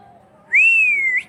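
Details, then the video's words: Single pure whistle from a parrot, swelling in quickly, holding a gently arched pitch for about two-thirds of a second, then flicking upward at the end. "The Voice|| of the ||Parrot"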